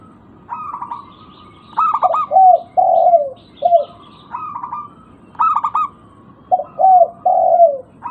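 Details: Local zebra dove used as a lure for birds that stopped calling: repeated phrases of stuttered notes leading into low, purring, downslurred coos, two full phrases with quiet pauses between.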